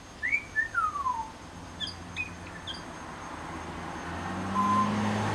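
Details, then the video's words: Pied butcherbird at a bird sanctuary imitating other birds: a few clear whistles, one sliding steeply downward, then faint high clicks, before rising rumbling background noise takes over. "Amazing mimicry by Pied Butcherbird"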